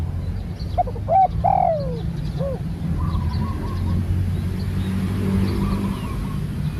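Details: Spotted dove, a new bird out for training, delivering a coo phrase: short notes, a long descending croon and a final short hoot, while a faint trill from another bird and low rumble continue.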